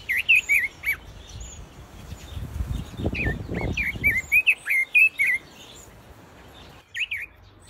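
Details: Captive Pekin robins in an aviary give bright, high, slurred chirps and short warbled notes in quick bursts of several per second, with a brief low rumble partway through.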